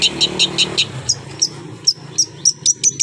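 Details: Long-tailed shrike with its tail spread: five evenly spaced scratchy notes in the first second, then sparser thin, sharp high ticks at irregular intervals.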